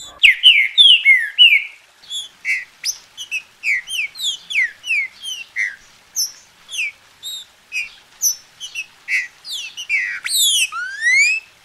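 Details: Captive green-winged saltator from Brazil, recorded to stimulate other saltators into song: a long, lively run of bright whistled and chirping notes, many sharply falling or rising, in quick repeated bursts nearly twice a second, ending with rising sweeps.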